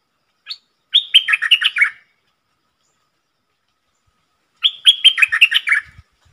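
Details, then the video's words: Decoy red-whiskered bulbul delivering dok taeng song with rapid sap dok phrases, used to teach young birds and attract wild ones: a lone clipped note, then two rolling, chattering phrases about four seconds apart, with a faint thump near the end. "เสียงนกดอกแตงEp.125นกต่อจ้าวขันเงิน 3หลักสับดอกรัวๆ ใช้หัดลูกเสอ/ต่อนกป่า"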